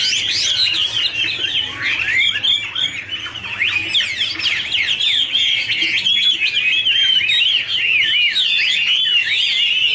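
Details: Chinese hwamei duet with dancing and fluttering wings: sustained, energetic warble of rapid zigzagging whistled notes, fast and varied, filling the whole stretch.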